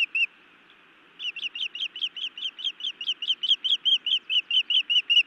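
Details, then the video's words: Scolding female osprey at her Montana nest, aimed at her mate, 31 May 2017 in the evening; one short chirp, a pause of about a second, then a long rapid series of shrill whistled notes. "Feisty Iris scolds then bites Louis a time or two"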